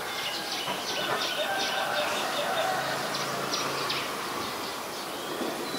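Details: Common tailorbird, adult, in Ubon Ratchathani, Thailand, 2 March 2023: sharp, high chirps repeated at a fairly even pace, around two or three per second, against constant hiss with faint lower whistles.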